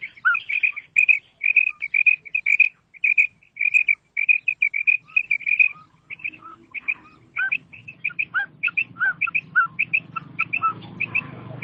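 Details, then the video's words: Female quail calling: a rapid run of short, high, clipped notes that repeat steadily, then lower, more varied chirps as a low background rumble grows. "مادی بٹیر کی 7 منٹ والی آواز / Female Batair Sound"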